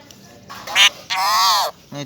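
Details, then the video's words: A pet parrot talks, saying its name in a harsh, nasal voice: a short bright syllable followed by a longer drawn-out one that falls at the end, then a brief low sound. "Talking parrot"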